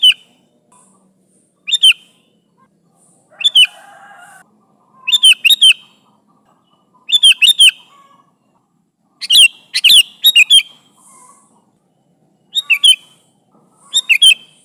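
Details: Sooty-headed bulbul calling companions: a long series of short, chirpy bubbling phrases, single notes and quick triplets, given every second or two, with faint soft chatter between bursts.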